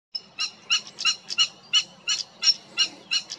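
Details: A European stonechat in the Cértima river valley, Águeda, on 28 June 2022 gives hard, clicking 'tsak' notes like pebbles knocked together, about three per second, in a run of ten or so.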